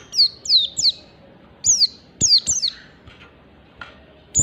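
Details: Oriental white-eye giving standard ngalas song to prompt other white-eyes to sing, a quick run of piercing, descending whistled notes, mostly paired, with faint knocks and a short pause before the last note.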